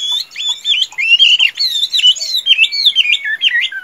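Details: Tame caged Chinese hwamei, good at singing and fighting, in a continuous stream of loud wavering whistled phrases with rising and falling slurs.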